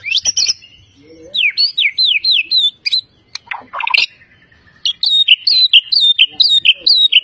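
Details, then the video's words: Champion white-rumped shama from Medan, a competition bird mimicking other species, sings loud high whistles in repeated slurred up-down phrases, about two per second, separated by a short harsh chatter. "murai juara full isian gacor ngotot"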